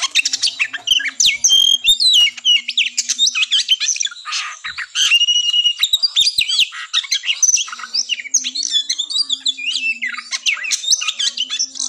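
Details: Oriental magpie-robin fighting song meant to raise breeding drive before a contest: long, fast stream of chattering notes, whistled slurs and harsh rasps, with a faint steady low hum in the background.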